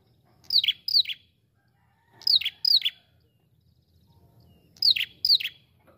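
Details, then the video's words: Ashy prinia, a lively calling bird used as a lure: sharp downslurred chirps in close pairs, three pairs spaced roughly two seconds apart, each note dropping steeply; faint low rumble beneath. "Pikat prenjak kepala merah gacor ampuh"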